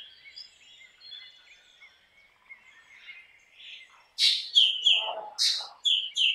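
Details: Black drongo singing: faint wavering whistles at first, then loud harsh bursts and clear ringing notes in the last two seconds, with a lower rasping note between them.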